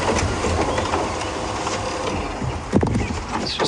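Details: Steady rumbling vehicle noise with a brief clatter and a hint of distant speech; no animal calls stand out.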